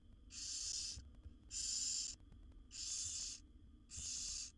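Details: Wild barn owl owlets in a monitored nest box, seven young being fed by their mother, give loud rasping hisses, four long snoring bursts about a second each, repeating steadily with short gaps and faint low background rumble.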